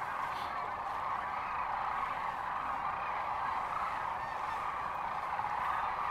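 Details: Sandhill crane flock, Gibbon, Nebraska, March 13, 2014: a thick, throbbing din of countless trumpeting voices swells and eases slightly, with a louder nearby call breaking through near the start.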